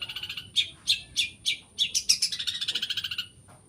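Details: Long-tailed shrike in a toet toet style song that mimics other birds, including prinia and sparrow: spaced, sharp chirps that speed into a fast, even trill of about a dozen notes before stopping, over a faint steady high whine.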